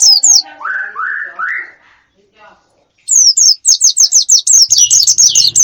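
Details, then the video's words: Bird calls for luring wild birds: a few rising warbled notes, a short pause, then a fast burst of high, sharp downslurred chirps repeated many times, with a faint low hum beneath. "Pikat ampuh,untuk pancingan burung liar"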